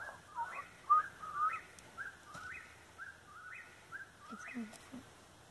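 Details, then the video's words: Nearby Eastern whip-poor-will, its clear whistled phrases rising at the end and repeating roughly every second, loud early on, then steady, with a few soft low sounds near the close. "whip-poor-will aka wipperwill calling nearby"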